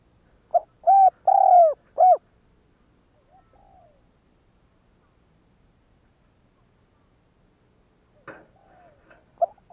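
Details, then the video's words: A spotted dove's cooing phrase, used to goad other doves to coo. One full low phrase of four notes, then a long quiet pause with faint murmurs, a brief rustle, and the start of another phrase at the end. "Tiếng cu gáy kích bổi kích sẽ gáy"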